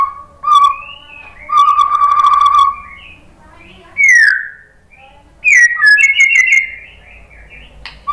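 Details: Murai batu, the white-rumped shama, in a provoking lure song: clear held whistles and a buzzy trill, then rising whistled phrases with short gaps.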